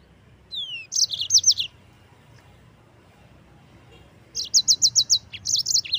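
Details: Yellow-fronted canary, presented as a tutor singer for white-eyes, opens with a falling whistle and a rapid high trill, pauses, then delivers an even series of about six crisp repeated notes followed by a chattering flourish.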